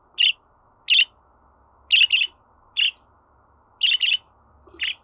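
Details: Budgerigar sounds meant to be played to a pet bird to encourage it to sing: short, sharp, high chirps, single or in quick pairs, repeated about once a second over a quiet background.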